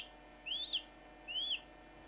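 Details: A hatching Barnevelder chick gives two clear, high, whistled peeps, each rising and then dropping, with a short pause between them, against a quiet background.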